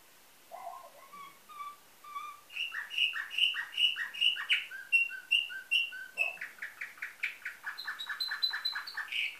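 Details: Nightingale-type canary song from a Bulgarian breeder in Varna, 2013: soft low whistles build into rapid repeated bright notes, then choppy trills and a high repeated phrase, all fast and varied.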